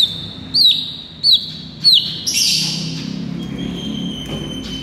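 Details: White-rumped shama singing loudly in the morning, used as a training and lure recording: three clear whistled notes near the same high pitch, each ending in a downward slur, then a long steady whistle with faint background hum.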